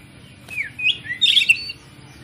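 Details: Oriental magpie-robin (kacer) song played as a lure to stir other magpie-robins into singing: a short run of sweet whistled notes, some rising and some falling, ending in a brighter warbled burst, with a faint low hum underneath.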